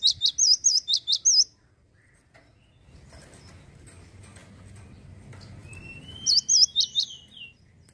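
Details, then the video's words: Two short bursts of shrill, wavering whistles from a male cinereous tit, kept by Indonesian songbird hobbyists, separated by several seconds of quiet low noise; the second burst starts with a thin rising whistle. "GACOR TANPA PEMANIS BUATAN,GELATIK BATU JANTAN LOSSDOL"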